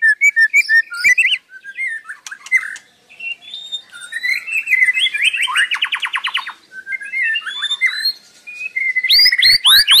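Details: Continuous song from a white-rumped shama, varied whistled phrases, soft pauses, a rapid buzzy trill in the middle, and sharp high notes at the close.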